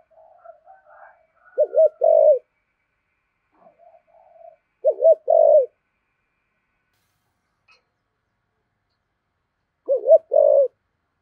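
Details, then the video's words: Spotted dove kept as a decoy, cooing in the "thổ" voice: three separate low phrases, each a wavering double note then a longer coo, spaced several seconds apart with faint softer notes between. "Chim Cu Mồi/ cu gáy giọng thổ thúc gù"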